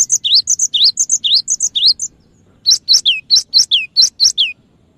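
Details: Lively cinereous tit used as a bird lure: a run of sharp, swooping high whistles, then a short gap and a second series of steeper downslurred notes repeated evenly.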